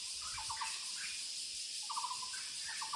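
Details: Muller's barbet calling in the woods: short bursts of rapid, hollow, low notes, three bursts across a few seconds, over a steady high-pitched hiss from insects.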